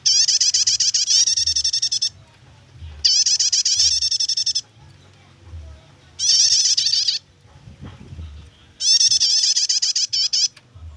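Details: Prinia in continuous nyetater chatter, a recording for luring or training songbirds: four bursts of fast, high, metallic repeated notes, each one to two seconds long, spaced by brief quiet gaps with soft low hum and a faint rustle.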